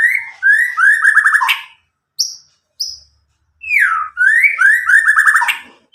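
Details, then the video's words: White-rumped shama from Medan, roughly nine months old, untutored, singing loud clear song: warbling whistled phrases with stepped runs, two short high piping notes between them. "murai batu Medan gacor walau lepas trotol cocok untuk pancingan murai batu macet"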